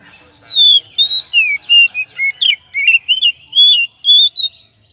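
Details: Oriental magpie-robin in a lure recording, singing a loud run of clear whistled phrases, some sliding down and others rising, about a dozen notes in five seconds, with short gaps between them and no other sounds.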